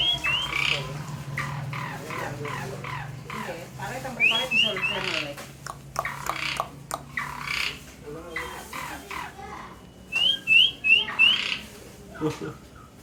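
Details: Asian pied starling in very active song: bursts of harsh, scratchy squawks and chatter alternate with bright rising whistles, ending in a quick series of four upswept whistled notes. A low steady hum runs underneath.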